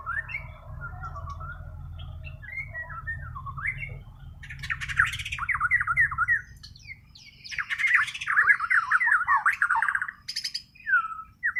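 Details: Kalimantan white-rumped shama, its song not learned from tutor birds: soft warbling gives way to loud bursts of sharp, rapidly repeated chattering notes and whistles, with steady low-pitched background hum.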